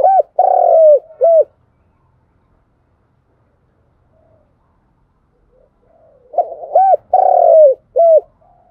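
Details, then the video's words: Spotted dove cooing in the 'thúc gù' and calling style used to train decoy birds for trapping. A deep, mellow three-part coo phrase opens, with a long middle note. Near silence follows, then the phrase repeats near the end. "Tiếng chim cu gáy thúc gù và gáy gọi hay nhất"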